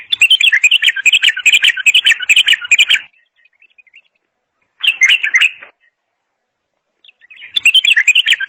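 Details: Bulbul pouring out a long three-second run of dense, rapid chattering notes, then a short burst around five seconds and another starting near seven and a half seconds, with faint twitters in the gaps.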